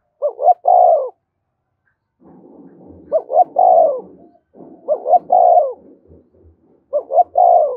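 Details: Spotted dove cooing to trigger fighting, four repeated phrases of two rising notes and a long throaty falling coo, with rustling and low knocking noises between phrases.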